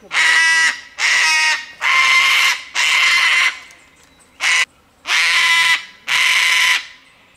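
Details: Wild cockatoo in the Australian bush, screeching loudly in protest at a person's presence: six harsh, broad, raspy screams, each about half a second to a second long, repeated roughly once a second with short gaps.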